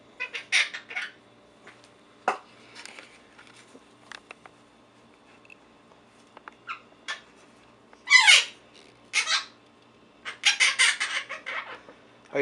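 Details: Four-month-old pet Quaker parrot, caged indoors, vocalizing in scattered bursts: short scratchy chirps, one loud harsh squawk near the middle, then a run of rapid raspy chatter, with a person speaking softly between calls.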